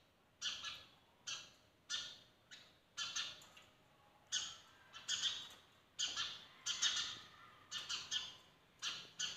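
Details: Several sparrows at a window at morning time chirping steadily, harsh buzzy notes repeated every half second or so, sometimes run together in short chattering bursts.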